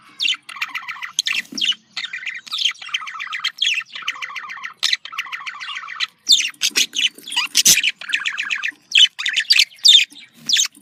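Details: Budgerigar giving happy contact calls: repeated harmonic nasal chirps in steady runs, mixed with buzzy squawks and a burst of sharper high notes toward the end.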